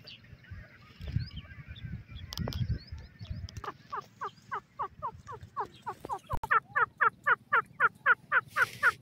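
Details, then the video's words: Francolin (teetar) calling in the jungle: after a rustling start, a long run of sharp, downward-slurred notes repeats faster and louder, about three each second, over a steady low droning hum. "teetar ki boli, Partridge bird sounds Francolin Voice in jungle"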